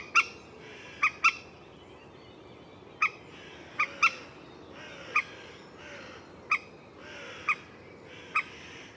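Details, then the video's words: Common moorhen giving sharp, short clucking notes, some in quick pairs, spaced irregularly about one second apart over a quiet background. "Moorhen Bird Sound | Beautiful Calls & Sounds of the Common Moorhen"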